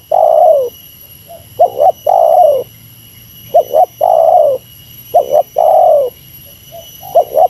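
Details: Spotted dove competing against a rival with a meratus-style lure call. About four long, mellow, downward-sliding coos, each preceded by a quick two-note coo, repeated about every two seconds, over a thin constant hum.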